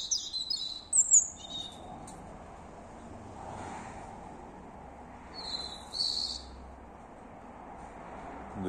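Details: Unidentified bird singing at three in the morning, unafraid of the person nearby: high thin squeaky phrases at the start and again near six seconds, separated by quiet pauses.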